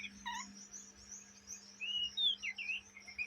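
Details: Young Oriental magpie-robin, a kacer trotolan chattering in ngriwik style, kept day and night: a few scratchy notes, then brief whistled slurs and rising chirps at high pitch over a steady low hum.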